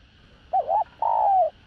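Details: Spotted dove calling and cooing to lure other doves, in the đồng rặc voice style. A wobbling two-part opening note leads into a long, full coo that fades slowly downward. A faint constant hum lies behind.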